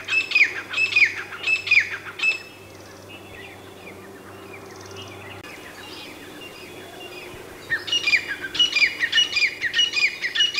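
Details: Grey francolin (teetar) calls: loud, grating, repeated notes open the recording, then several quiet seconds with faint background sounds, before another rapid burst of harsh ringing notes at the end.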